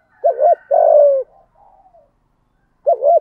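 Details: Spotted dove in the Vietnamese "giọng thổ" voice, cooing to provoke a rival male: a low hooting double note, a longer falling coo, a faint trailing note, then another double coo after a pause, on a silent background.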